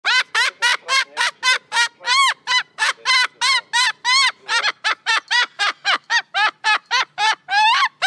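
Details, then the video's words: Baby, a Moluccan cockatoo, gives loud, harsh, rasping screeches in a rapid run, about three or four per second, each slightly arched in pitch; screaming is a natural daily flock-communication behaviour. "The Cockatoo Vocalizing"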